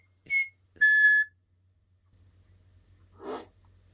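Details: Pet common hill myna indoors, practising talking and mimicry: two short clear whistled notes, the second held and steady, then a pause and a brief rough cough-like burst over faint low hum.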